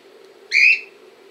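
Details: A cockatiel filmed in Montpellier gives one short, shrill whistled call with a slight rise and a rich, ringing tone, with a faint low hum underneath.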